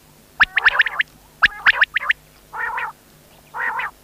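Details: Quail giving rapid groups of sharp, clipped whistled notes, three to four per burst in two bursts, then two longer rasping buzzy notes about a second apart; faint steady hum underneath.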